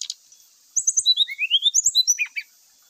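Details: Brown-chested jungle flycatcher giving its fluting provocation song, used to make rival males fight and reveal their repertoire: a quick sequence of about a dozen clear whistled notes stepping down in pitch, ending in two lower buzzy notes, with constant high hiss behind.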